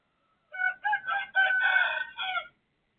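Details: Full cock-a-doodle-doo from a neighbour's rooster at 03:35 in the night, 18/12/2567: five rough, harmonic syllables over two seconds, the long fourth note held loudest, in otherwise quiet darkness.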